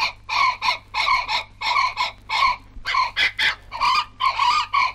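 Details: A pair of brolgas, recorded in Australia, calling: loud, harsh trumpeting notes in quick, uneven bursts, about twenty in five seconds, over a faint low hum.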